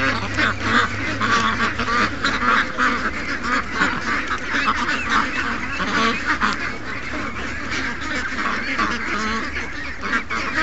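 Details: Loud crowd of over 700 ducks and geese in a morning rush, young ducks among them, with rapid, choppy quacking pulses crowding one another for the whole stretch.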